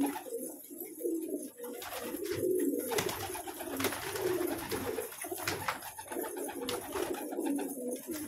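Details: Colourful pet pigeons giving soft, low coos that recur in short rolling phrases beneath a fairly loud, hissy background with clicks and knocks.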